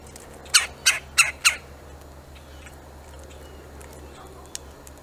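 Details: Woodpecker calling to drive off a squirrel: four harsh, raspy squawks in quick succession, about a third of a second apart, then quiet with faint outdoor background noise and a single click.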